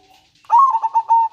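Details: Zebra dove of a local strain singing manggung and nretek style, a song used to stir breeding condition and lure other doves: a soft murmur, then a rolling run of five or six fast, pulsing coos on one level pitch.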